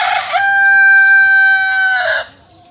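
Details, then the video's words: Close rooster of a village chicken flock crowing loudly: a harsh opening, a long steady sustained middle note, then a rough falling finish. "suara asli ayam kampung"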